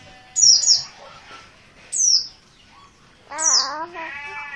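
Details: Insistent calling from an untrained oriental white-eye, dakun Merapi type: a quick double downslurred squeak, then single high falling notes, with a lower wavering harmonic sound near the end.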